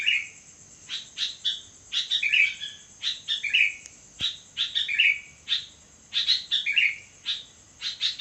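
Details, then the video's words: Midnight song of a sooty-headed bulbul: a lively run of clipped chirps and bubbling, descending whistled phrases in quick succession, one soft click midway, with a steady faint high whine throughout. "burung kutilang gacor di tengah malam"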